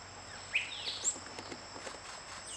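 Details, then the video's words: Spot-crowned euphonia giving a quick series of thin, sliding whistled notes: a rising slur, then a piercing high peep, followed by faint scattered ticks against constant high-pitched background hiss. "La Eufonia Coronipinta nature birds sounds"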